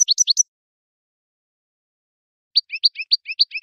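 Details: European goldfinch song used for teaching juveniles: a quick burst of high, tinkling twitters, two seconds of silence, then a fast string of bright, liquid chirps.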